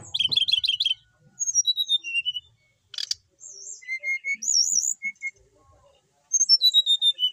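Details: Settled cage-kept brown-chested jungle flycatcher from Bali in lively song: quick trilled notes, falling whistled phrases, a warbled high passage, then a fresh run of descending whistles.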